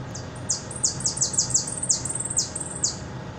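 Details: Hooded siskin singing in the repique style, from Buenos Aires: a run of high, sharp notes that each sweep steeply downward, repeated about three times a second with small gaps, over a steady low hum.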